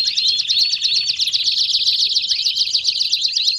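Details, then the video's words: Canary singing a 'baderna' style song used to warm up other canaries: dense, high chattering trills of fast repeated notes with quick upward-sweeping whistles, running continuously without pause. "Canário Baderna de Para Esquentar Seus Canários"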